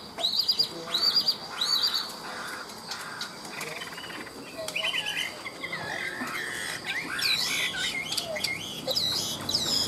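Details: Caged Chinese hwamei, ngũ trường singer said to sing high: opens with looping high whistled phrases repeated about every second, then breaks into a fast, varied stream of warbled and slurred notes.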